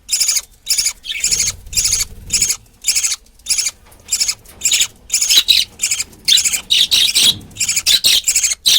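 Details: A pet budgerigar feeding her 20-day-old chick; rapid, raspy, high-pitched chattering bursts in quick succession.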